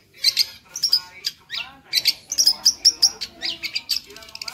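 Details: Long-tailed shrike in energetic song rich in fill phrases: clusters of bright, high whistled chirps repeated several times a second, with faint lower warbled notes beneath.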